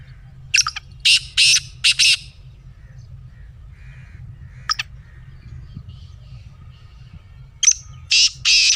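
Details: Black francolin calling: a rapid burst of four harsh, grating, buzzy notes, then a lone sharp note after a pause, and a final rasping phrase of three notes. Quiet low rumble behind.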